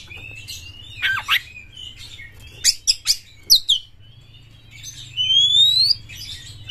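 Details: Champion Oriental magpie-robin singing excitedly, tail fanned, to provoke other magpie-robins: a thin steady whistle, harsh sweeping notes, a few sharp chips, then a long pure rising whistle over a low steady hum.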